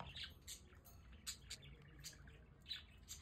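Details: Several pet budgerigars on a balcony in The Hague, enjoying good weather, give a few short, scratchy chirps and squawks spaced through the moment, fairly faint over low background rumble.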